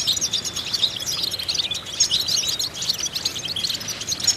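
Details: Goldfinch singing in a vocal training exercise meant to stimulate other goldfinches: rapid, bright twittering with quick slurred notes and chattering bursts, continuous and high-pitched.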